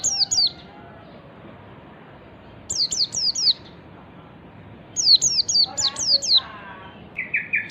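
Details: White-eye singing in ngalas style to lure other birds: clustered bursts of high, falling, chirpy notes separated by pauses, ending with a short buzzy trill.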